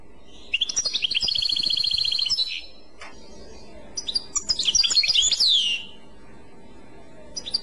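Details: Goldfinch Clochette song: a sustained rapid metallic trill, a short gap, then a tumbling burst of high chirping and downward-sliding notes before quiet.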